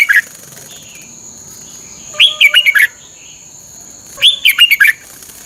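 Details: Bulbul song for caged-bird training, red-whiskered bulbul: two full phrases of an upward whistle and quick cheerful notes, two seconds apart, after a clipped earlier phrase, with soft background chirps and a high steady tone.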